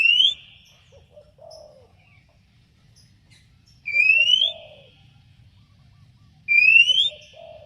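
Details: Oriental magpie-robin calling out a rival: a pure upslurred whistle repeated three times, roughly every three seconds, each followed by a few soft, low notes.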